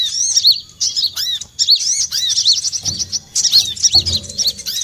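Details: Olive-backed sunbird lure call used for trapping: rapid high, thin chirps with arched, bouncing notes, packed into bursts with short gaps, plus a few low thumps near the end.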